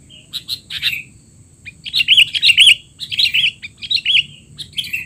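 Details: Excited sooty-headed bulbul chatter used to train young bulbuls: clusters of buzzy chirps and wavering whistled notes follow each other in fast, jumbled phrases with short gaps.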